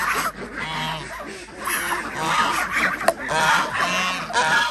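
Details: Farmed ducks at feeding time in a village in Andhra Pradesh, kept alongside chickens and geese; loud overlapping nasal honks rise and fall in a busy chorus, with a sharp click near the middle.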